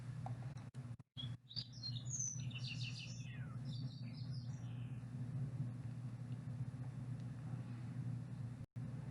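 Thick-billed Fox Sparrow singing a rich, varied burst of whistled and buzzy notes that borrows American Robin and Northern Flicker calls, over a steady low rumble.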